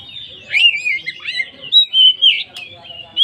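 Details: Lure song of an oriental magpie-robin, poci type, full isian style, played to make other magpie-robins join in: a jumble of twittering notes followed by sustained clear whistles and sharp slurred phrases.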